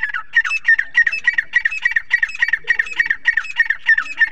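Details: Silver boski partridge, also called Irani teetar, calling in a rapid run of harsh, squawking notes, roughly three each second, evenly repeated and loud throughout, with no other clear sounds.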